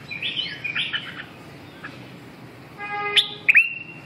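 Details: Voice-training recording of a red-whiskered bulbul: a few quick warbled notes, then a pause, then two sharp emphatic chirps, over low steady background noise.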